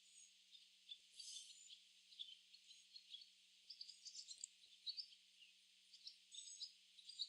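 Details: A flock of barn swallows gathering in a tree chatter in quick, irregular high twitters and chirps, several birds overlapping with scratchy notes, over a faint steady hum.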